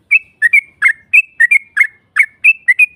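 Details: Short phrase of a yellow-vented bulbul lure for drawing a rival's reply: clear, bubbly whistled notes in pairs and singles, each slurring then flattening, with brief silences between.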